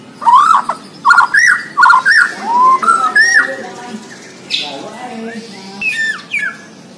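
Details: White-rumped shama of the Borneo type singing a lively run of loud, clear whistled phrases. Each phrase is a short rising-falling slur, given in quick succession over the first three seconds. Softer lower warbles and fainter high notes follow.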